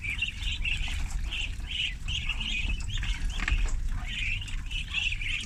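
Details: A group of thirty ducklings on a farm during feeding, giving bright, high peeping calls in rapid clustered series, several birds overlapping in a continuous chirping chorus with low rumbling noise underneath.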